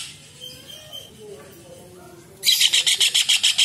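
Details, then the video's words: Kingfisher, known as cekakak, recorded as tutor material for songbirds: faint twittering and soft sliding notes at first, then a loud rapid series of harsh repeated chattering notes bursting in near the end. "TENGKEK UDANG / CEKAKAK GACOR / RAJA UDANG Masteran UNIK"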